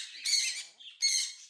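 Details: Quaker parrots, pet monk parakeets building a nest indoors, give two harsh, buzzy squawks, each about a third of a second long, separated by a short quiet gap, with a soft murmur in between.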